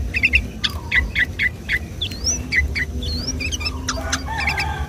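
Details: Sooty-headed bulbul singing energetically on a Sunday morning, the song used as a lure to trap or stir other bulbuls to sing: quick bursts of short chirpy notes mixed with rising whistled sweeps, over a steady low rumble and faint hum.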